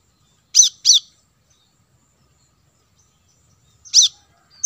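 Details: Plain-throated sunbird, called kolibri kelapa, on lure audio for wild birds: a double high, piercing chip, nearly three seconds of silence, then another chip and the start of a further one.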